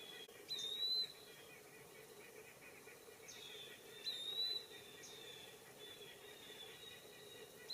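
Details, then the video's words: Eastern wood-pewee in woods giving high, thin whistled calls, repeated irregularly several times, each a brief slurred note, with a quiet even hum beneath; white-breasted nuthatch and blue jay calling in the background. "Eastern Wood-Pewee Call"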